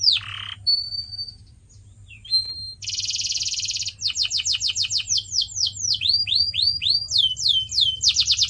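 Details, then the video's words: Canary song for training pet birds: a sharp downward note, a steady whistle, a dense buzzing roll, then long runs of rapid curved chirps repeated several times a second. "CANARY SINGING SOUND"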